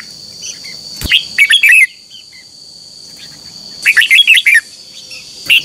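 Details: Red-whiskered bulbul morning contest song for training birds: two bursts of quick whistled and buzzy notes with a sharp click, faint chirps between, steady high hum.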